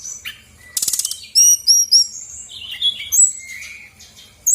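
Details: Female brown-chested jungle flycatcher of Bali stock singing to lure other birds into song: a short dry rattle, then loud clear whistled upslurs repeated in quick succession and varied twittering notes.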